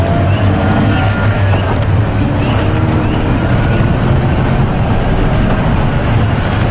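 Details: A loud, low engine rumble from a vehicle on a safari drive dominates, with faint human voices underneath.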